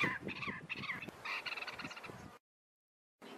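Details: Klaas's Cuckoo, a southern African cuckoo, gives a run of quick, plaintive whistled notes that rise and fall over a low rumbling background, then pauses before another sound begins.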